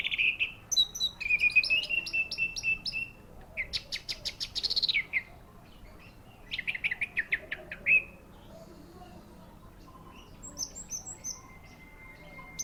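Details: Orange-headed thrush delivering a fast, varied song with whistled phrases, buzzy rapid trills and stuttering repeated notes, followed by quieter scattered chirps and a thin steady whistle near the end.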